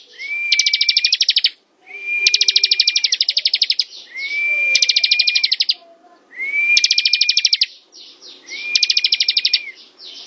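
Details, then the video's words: Ciblek, the bar-winged prinia, in ngebren song: each phrase opens with a clear rising whistle that holds steady, then breaks into a fast, bright train of clicking notes, five phrases roughly every two seconds. "Suara ciblek ngebren"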